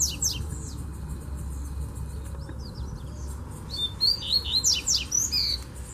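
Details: Wild double-collared seedeater singing from a distance in a bamboo thicket, a burst of quick high twittering and sweeping whistled notes after a quieter opening, with steady low background hum.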